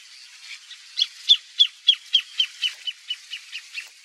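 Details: Greater thornbird singing free in the wild: a steady series of about fifteen sharp, high, clipped notes, roughly four per second, loudest near the start and slowly fading toward the end.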